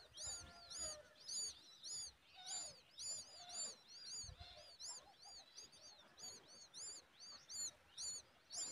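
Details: Mother common babbler feeding a chick a giant worm; steady series of thin, arched, high chirps, nearly two per second, with a few lower whistled notes early on.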